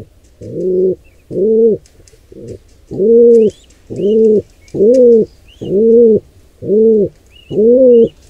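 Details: Wild pigeons cooing as an intruder pair attacks a nestling: low arched coos in an uneven series, a short gap after the opening notes, and thin high squeaks scattered through.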